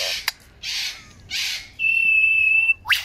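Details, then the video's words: Lyrebird in Australia in 2019 delivering varied song: a click, two broad hissing bursts, a long level pure whistle lasting about a second, and a quick upward-sweeping note at the end. "Amazing Lyrebird sing 2.0 Australia 2019"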